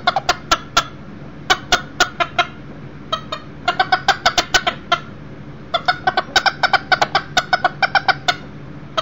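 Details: Millefleur d'Uccle rooster, one year old, brought inside a house for a visit, with a broody hen, chicks and another hen nearby; clucks come in quick bursts of several notes separated by short pauses.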